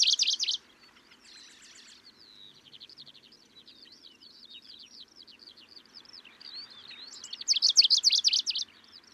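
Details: Middendorff's grasshopper warbler recorded in Kaohsiung, Taiwan, on 25 May 2023. It gives a busy, chattering run of short high notes, loud at the opening, softer and more scattered in the middle, then swelling into a loud rapid burst near the end.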